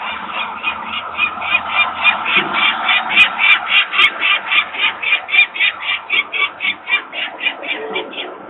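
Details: Long, rhythmic run of rasping kak calls, near four per second, from two peregrine falcon parents alarmed by employees making noise by their nest in Włocławek, Poland, on the afternoon of 23 May 2022, chicks on the ledge.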